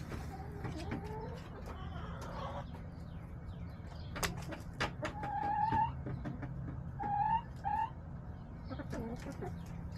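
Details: Backyard chicken flock, March 30, 2024. Scattered soft clucks with several short, clear, slightly rising tonal notes in pairs around the middle and later, over steady low background hum and occasional knocks.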